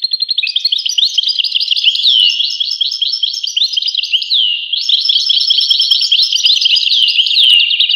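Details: Unbroken goldfinch singing, a long run of tinkling twitters, quick trills and looping slurred notes with a brief break near the middle, high and bright throughout.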